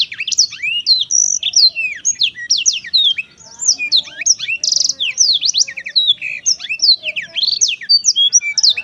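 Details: Black-throated canary singing merrily, an unbroken stream of fast high chirps, downslurred whistles and brief buzzy trills with rich variety.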